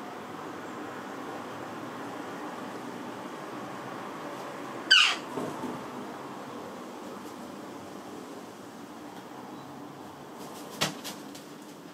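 Steady background hiss with one sharp, brief knock or squeak near the middle and a faint click near the end; no animal voice.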